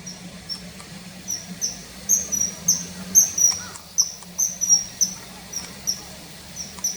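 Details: Common kingfisher call taken from a field guide recording; thin, very high piping whistles repeated rapidly in irregular runs, some doubled, over a faint low hum.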